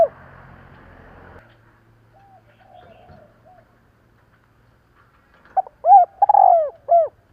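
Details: A brief noisy burst, then near silence with faint soft notes, before a spotted dove sings one clear phrase: quick opening notes, a hoot, a long sliding coo and a last falling hoot. Meant for rousing decoy doves.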